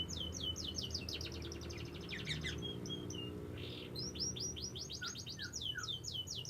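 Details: Young canary song with a constant low hum behind: long series of fast, sharply descending high notes, a brief softer noisy burst midway, then more repeated swept notes with a few lower chirps.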